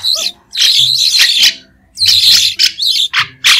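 White-shouldered starling giving loud, harsh, high-pitched chattering bursts with squeaky whistles, several phrases in under four seconds.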